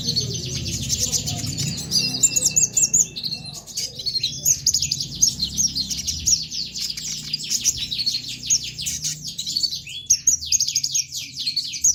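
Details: A prompting song from a konin sunbird for young kolibri ninja birds. A continuous high twitter breaks into evenly spaced, rapid down-slurred chips, repeated many times a second, over faint background noise.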